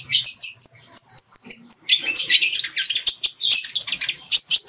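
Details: Training song of a Ruby-cheeked sunbird, clear and packed with fighting-sparrow phrases for teaching other birds: short high whistled notes, then a burst of fast scratchy chirping.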